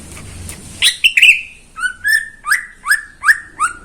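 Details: Caged greater green leafbird kept by a neighbour, singing in the morning: two sharp high notes, then a run of six clear whistled phrases, each a quick upswept note sliding down, repeated about every half second.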